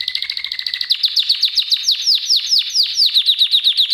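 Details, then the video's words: Canary song played as a song lesson for canaries: a steady high whistled tone over fast rattling trills, then a run of loud, quick downslurred notes repeated several times a second, bright and rhythmic throughout. "kanarya için ötüş dersi (ama bülbül degil)"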